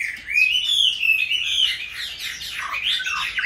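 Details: Caged Chinese hwamei, kept from a young bird for five years, sings a short, clear, drawn-out whistle that glides upward, followed by dipping, slurred notes.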